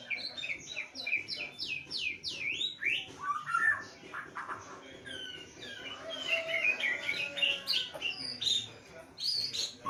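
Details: Caged white-rumped shama singing during a lockdown: fast repeated sweeping whistles at the start, then a dense jumble of varied chattering and whistled notes.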